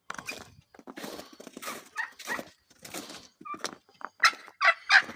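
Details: Homestead chickens on a morning in the Ozarks give irregular, raspy squawks, then clearer, higher clucks near the end, over a rustling, noisy background.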